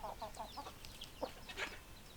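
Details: Chickens, hens and roosters: a quick run of five low, throaty clucks, then a pause and a few more separate clucks, with thin high chirps of small birds scattered over the top.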